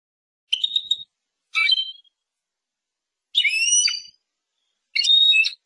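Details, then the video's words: European goldfinch giving four separate short, high, whistled and slightly nasal call notes, spaced one to two seconds apart, with silence between them. "Persian goldfinch songs اواز سهرهاي اروپاي"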